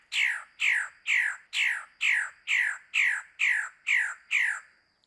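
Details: Magnificent bird-of-paradise (Cicinnurus magnificus) in the Arfak Mountains jungle, West Papua, during the mating season, giving ten harsh, downward-slurred squawks, about two per second and evenly spaced, over a faint steady high whine.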